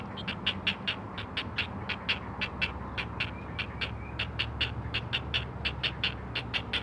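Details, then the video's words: Four great blue heron chicks on a Chesapeake nest, filmed by a live camera, call to their mother: rapid, rhythmic, harsh clicking notes, roughly one and a half per second, with a low steady background hum. "Four Singing Great Blue Heron Chicks!"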